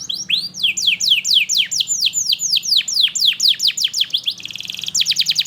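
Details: Canary lure song for teaching young canaries and reviving silent singers: a rising whistle opens a series of loud, sharply falling slurs, then a steady buzzy trill and quick repeated notes.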